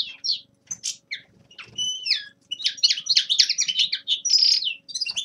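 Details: Young male common linnet in winter warm-up song: scattered chirps and a couple of downward-sliding whistles, then a fast run of twittering notes and a short buzzy trill.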